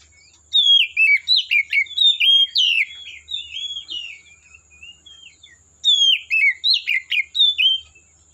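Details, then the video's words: Oriental magpie-robin in forest with two bursts of loud, varied whistles and chattering notes, the first followed by a softer twittering passage before the second burst. "Suara Burung Kacer Asli Hutan"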